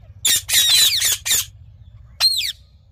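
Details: Green parrot producing a rough, continuous run of loud grating screeches for over a second, then a pause and a single ringing, downward-bending shriek over a low hum.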